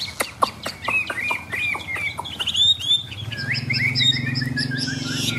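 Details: Caged Chinese hwamei, tame and quick to sing, recorded outdoors on a rainy, overcast day. A run of sharp clicks gives way to bright whistled notes and sliding trills, with a low hum underneath.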